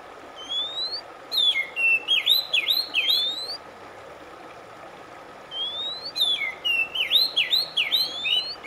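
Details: Oriental magpie-robin song, a recording meant to relax stressed birds and bring silent ones back to singing: a rising whistle, then a burst of looping, swooping whistled notes, with the phrase repeated after a pause over a steady faint hum.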